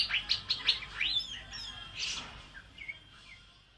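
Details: Asian fairy-bluebird singing energetically, recorded as training material for other songbirds: a quick series of four or five sharp chirps, then a louder buzzy note, trailing off into a few soft whistled phrases.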